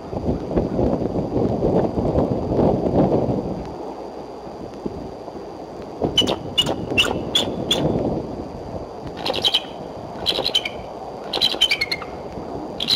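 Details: Female bald eagle perched for a long time on a Y branch near the nest at Decorah, 3 April 2012, midday, calling: groups of high, quick chittering notes after six seconds, with wind rushing before that.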